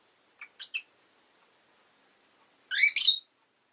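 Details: Pet rosy-faced lovebird giving three soft, quick high chirps, then after a pause a louder harsh double chirp with rich harmonics. The setting is otherwise quiet.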